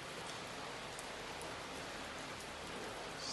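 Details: Even hissing rain falls throughout, with scattered faint drop taps and no animal voices.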